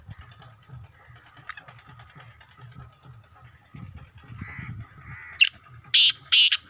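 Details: Black francolin calling in a quickening series of loud, rasping, noisy notes that grow stronger toward the end, over low background rumble and people talking nearby.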